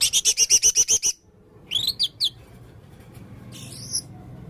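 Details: Red-throated male blue-crowned hanging parrot in full song: eight evenly spaced, sharp, high chirps in a quick series, then a pause, three squeaky slurred notes, and one later rising-falling squeal.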